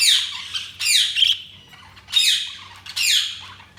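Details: Four grating budgerigar squawks in a little under four seconds, each dropping in pitch, the second trailing into a brief warble.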